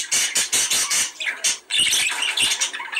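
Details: Budgerigars in a breeding-encouragement sound: four quick harsh rasps in the first second, then a shrill, squeaky warble with thin whistled notes and more scratchy squawks.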